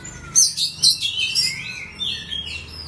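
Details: Oriental magpie-robin from a collection of kept birds, singing a quick run of bright, high whistles and chirps that slide up and down, then fall into short lower warbled phrases.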